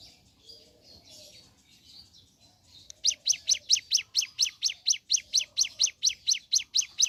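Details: Ciblek gunung, or mountain leaf warbler, singing in the morning: a steady series of sharp, high, clipped notes repeated about twice a second, after a quiet stretch of soft, distant twittering.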